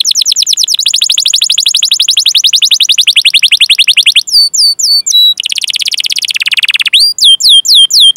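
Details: Canary song with long 'cuit cuit' chirps and rolling trills, played to train and lure young or silent canaries to sing: rapid high repeated notes, a pause of sharp hooked whistles, a buzzy lower trill, then clipped upslurred chirps.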